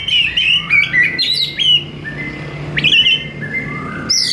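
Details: Kacer, the oriental magpie-robin, in energetic 'gacor' song: continuous varied whistles, some held flat and others sliding, with a sudden rising sweep midway through.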